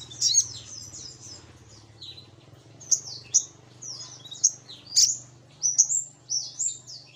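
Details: Lure call of the Little Spiderhunter: repeated sharp, high, slurred chips and squeaks at irregular intervals over a low background hum.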